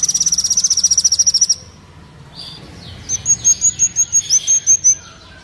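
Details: Kolibri Wulung sunbird, from a training and luring recording: a fast high trill for over a second, a pause with faint noise, then a slower series of sharp high notes about three per second.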